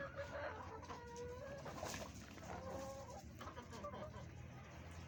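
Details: Chickens feeding on green vegetables on a farm give a series of soft, short clucks and murmuring calls, some with drawn-out tonal notes, over a steady low hum of background noise.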